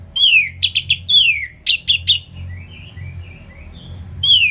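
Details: Loud ngeplong song of an Orange-headed thrush from Singaraja, northern Bali, meant to stir lazy birds to sing: strong down-slurred whistles alternating with sharp clipped notes, then soft quiet warbling before another loud descending whistle.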